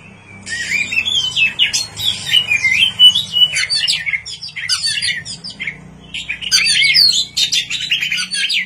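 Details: White-rumped shama singing at night, used as a lure: a continuous loud flow of harsh chattering and whistled phrases over a faint low hum.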